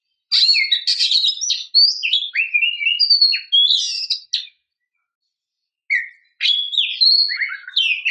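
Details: Female Oriental magpie-robin luring the male: dense runs of varied high whistles, chirps and slurred notes, a four-second burst, a pause of about a second and a half, then a second burst. No other sounds.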